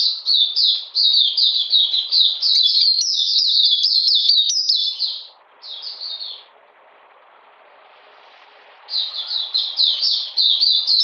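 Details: Captive Oriental magpie-robin singing in cold, rainy weather on 13 June 2020: rapid, high chattering notes repeated about three per second, a brief pause, then a short phrase, near silence with faint hum, and the song resumes.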